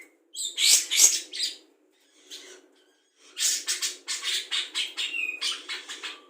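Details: Budgerigar performing imitations of other birds, among them the red-whiskered bulbul, the white-eye, the laughing call of a lovebird and quarrelling sparrows; an opening burst of high chirps, a pause, then a quick run of sharp, clicking chips.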